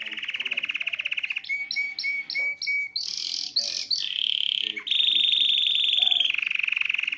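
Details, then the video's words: An excited male canary sings a loud, fast song of rolling trills, chopped phrases and a sustained high whistle, shifting pattern every second or so, to stimulate a female to mate. "تغريد ذكر كناري هائج يريد تكسير القفص يحفز الانثى لتزواج"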